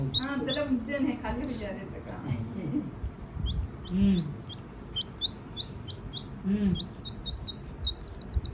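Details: A rescued stray chick, playing and exploring a house, gives rapid high thin peeps in quick series in the latter half, after a person speaking at the start, with soft thumps in between.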